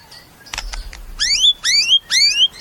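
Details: Caged white-rumped shama singing: loud rising whistled upsweeps repeated three times about half a second apart, preceded by a short burst of harsh clicking notes.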